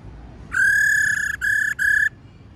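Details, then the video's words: A female laughingthrush gives its call meant to excite males: one long, steady whistle followed by two shorter notes at the same pitch, clean and tonal against a quiet background. "Khướu mái rò | khướu mái ro ro kích khướu bổi cực nhạy. tiếng khuou mai ro"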